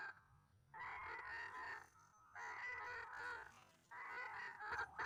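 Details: White-breasted waterhen caught up in a trapping session with a hanging snare: long grating, nasal croaking phrases about a second each, separated by short gaps.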